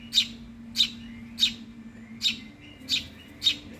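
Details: Six evenly spaced, shrill begging chirps from a hungry Eurasian tree sparrow chick, each brief and high-pitched, over a faint low hum.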